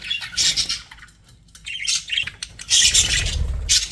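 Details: Budgerigars kept as pets chattering in bursts: clusters of high, harsh chirps and short squawks separated by quieter gaps, with a low rumble under the final loud burst.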